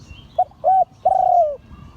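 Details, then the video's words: Liu Tan style crowing from a spotted dove of an auspicious line: a brief soft note, a fuller hollow coo, then a long mellow note that slowly slides down, all clear over low background hum. "เสียงขันนกเขาใหญ่ # หลิ่วตัน"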